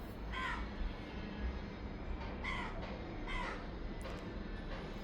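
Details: A lone house crow without a mate, calling daily at a window while being fed, gives three harsh, nasal caws spaced one to two seconds apart over a steady low rumble of background noise.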